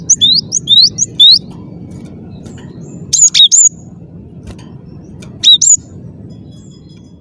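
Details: Clear high song of a cinereous tit: an opening run of rising whistled notes, then short two- and three-note phrases spaced a couple of seconds apart against steady low background noise.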